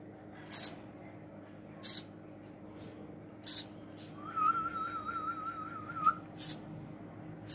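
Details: A baby house sparrow being hand-fed gives five sharp, high chirps spaced one to two seconds apart, with a person's wavering whistle partway through.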